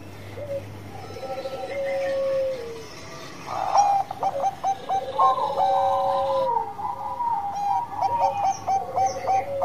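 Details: Zebra dove, a singing bird of the 'Banngko' type, giving its 'bekur' song for use as a lure to stimulate other birds: soft mid-pitched tones first, then a burst of rapid stuttering notes running into long, even coos, partly overlapping.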